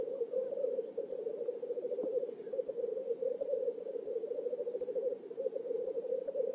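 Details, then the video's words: Several black grouse lekking in a swamp in Oulu, Finland, 5 May 2022, displaying for courtship: an even, low-pitched, fast-pulsing bubbling drone that never stops, with no other clear sounds. "Black grouses lekking / la parade du Tétras-Lyre / Teeret soitimella"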